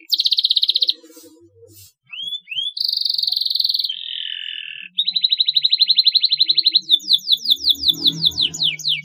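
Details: Canary song played as a lure to make young canaries chirp. Fast rattling trills alternate with a lower buzzy roll, a long even rattle and a closing series of rapid, steeply falling whistles, with faint low background noise.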